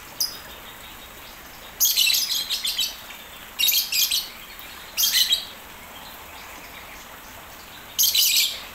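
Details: A captive crested partridge in an aviary, singing melodiously as if in the wild, calls in four short bursts of high, clustered chirping notes, each under a second, spaced one and a half to three seconds apart against a quiet background.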